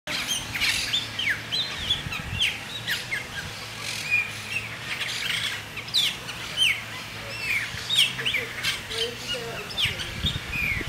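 Several shiny cowbirds call at once, with a busy run of high, sharp chirps and short liquid whistles throughout, over a low steady hum.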